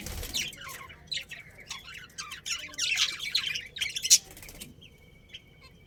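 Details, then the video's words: Breeding budgerigar pair within a colony, warbling continuously in a buzzy, chattering stream of quick high notes. A sharp click is followed by a faint tonal beep as the chatter trails off. "Cute Budgies Chirping Sounds"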